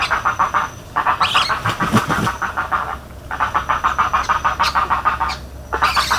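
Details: Spoonbill calling in Everglades National Park: quick rhythmic throaty pulses, roughly three each second, in bursts with gaps between, and sharp high bird notes cutting in now and then.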